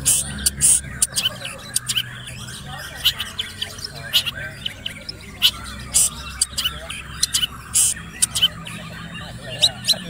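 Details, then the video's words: Young male long-tailed shrike, eight months old, in full, material-rich 'gacor full isian' song used to train other shrikes: harsh, scratchy bursts and sharp chattering notes at irregular intervals, over a steady low hum. "burung cendet gacor full isian umur 8 bulan"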